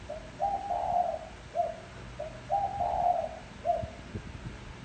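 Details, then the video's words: Spotted dove cooing as a decoy to attract wild doves: two low, hollow phrases, each a short note, a long rolling coo and a brief end note, about two seconds apart, with faint knocks and hum. "Tiếng chim cu gáy gù gọi hay cực chất dùng kích bổi gù kich mồi"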